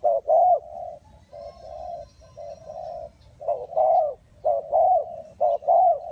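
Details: Spotted dove calling at a bird trap in Ninh Thuận, Vietnam. Loud hooting coos come in a rhythmic run of short and long notes, some softer coos between them. The surroundings are quiet.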